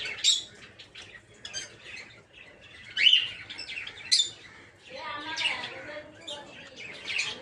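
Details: Peach-faced lovebirds kept in an aviary for breeding, several colour mutations present; shrill squeaks and screeches mixed with rapid twittering chatter from several birds.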